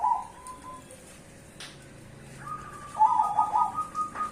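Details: Duetting zebra doves, cemani and Bangkok perkutut types: a short vibrating coo at the start, a quiet gap with a faint low hum, then a longer run of rolling, pulsed cooing to the end.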